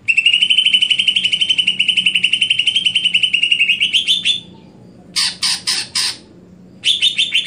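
A greater green leafbird delivers a fast, high, rattling trill for about four seconds, then a few loud harsh bursts after short pauses.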